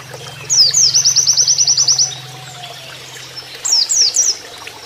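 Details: Training master of an Oriental white-eye in canary-like 'nembak kenarian' style: two high whistles open a fast, even trill lasting about a second and a half, followed after a pause by a few looping whistles, with water flowing throughout.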